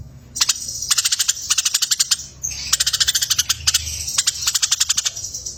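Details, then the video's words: Tutor recording for competition cage birds of a fighting-style Eurasian tree sparrow: dense runs of harsh, high chirps repeated rapidly in several bursts with brief pauses, a busy, excited chatter. "Masteran burung lomba || Gereja Tarung VS Tengkek Buto"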